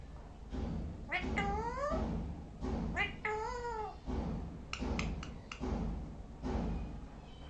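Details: Parrot uttering drawn-out, meow-like wailing calls rich in harmonics, each bending up then down, separated by clicks and short sharp notes, against a noticeable low rumble.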